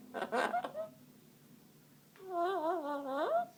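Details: A 17-year-old pet Amazon parrot gives a short burst of speech-like chatter, then sings a drawn-out, wavering human-like note that bends upward at the end.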